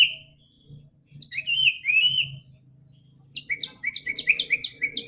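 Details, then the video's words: White-rumped shama song used to coax a silent bird to sing: a drawn-out whistle, then a slurred warbling phrase, then a fast series of sharp repeated chips over a low background hum. "PANCINGAN MURAI BATU GACOR‼️ANTI STRESS"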